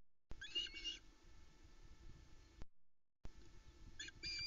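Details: At a Loch Arkaig osprey nest at about 05:25 on 10 July 2020, as the male arrives with a headless trout for the female and three chicks, sharp, high whistled chirps come in two quick bursts over steady wind rumble.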